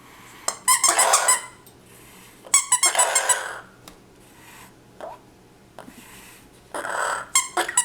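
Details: Household parrot vocalising at a dog's squeak toy in a small room: rough, hissing squawk bursts about a second long, mixed with high squeaky notes, separated by quiet gaps.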